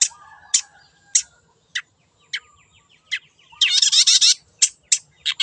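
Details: Wild long-tailed shrike singing in a lure recording: spaced sharp high chips about every half second, soft twittering between them, and a long harsh grating burst in the middle.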